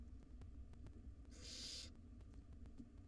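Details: At a nest box, one of five hungry wild barn owl nestlings lets out a single loud, raspy hiss lasting about half a second at dinner time, amid a low constant hum.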